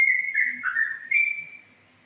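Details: Yellow-vented bulbul (trucukan), ropel-style song: a clear whistled phrase that dips into a lower warble, then rises to a sustained high whistle that fades out within two seconds.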